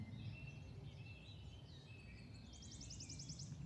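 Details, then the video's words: Wood warbler singing from the treetops in the Forest of Dean, England, in early May, with crossbills flying over: a high, dry run of ticking notes speeding into a shivering trill, earlier thin whistles, low wind rumble. "Somewhere up here, I've just heard wood warbler."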